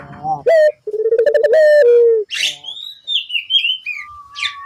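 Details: Barbary dove coo played to make other doves call back, a throbbing low phrase ending in a falling drawn note, followed by high warbled whistles from another bird.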